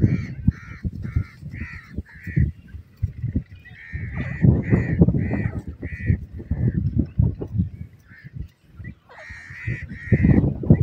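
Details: Long bout of partridge (teetar) calls: rapid run of rasping, mid-pitched notes roughly twice a second, a brief pause, then another quick series, all over continuous low rumbling noise.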